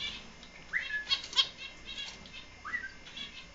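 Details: Four-month-old finches: two short upswept calls, each rising then levelling off, about two seconds apart, among scattered clicks and crisp rustling bursts.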